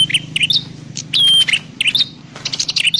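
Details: Prinia lure calls for trapping: twittering high notes with one long, thin whistle, mixed with buzzy chirps over a faint low rumble.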